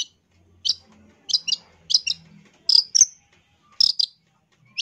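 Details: Long-tailed shrike song for training birds: sharp high chips in pairs and singles, spaced about half a second apart, with a soft low hum in the background.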